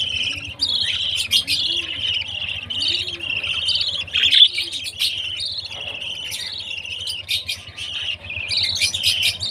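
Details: Baby budgie at feeding time: continuous warbling, buzzy chirping with sharp clicks and ticks scattered through it, plus soft low hooting notes early on and a faint hum.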